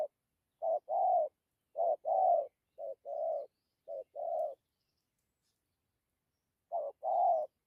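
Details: Spotted dove cooing in a 'dặm' style with coos: low, hoarse two-part phrases, a short note then a longer rolling coo, given in pairs about once a second, then a pause before one more pair.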